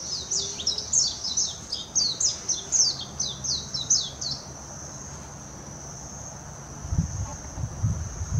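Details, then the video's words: Warbling white-eye from Hashimoto, Wakayama, Japan, June 26 2021: about five seconds of rapid high, chirpy warbling of descending notes, then quiet with a lingering high hum and some low rumbling thumps near the end. "メジロ さえずり 姿 鳴き声 warbling white-eye song"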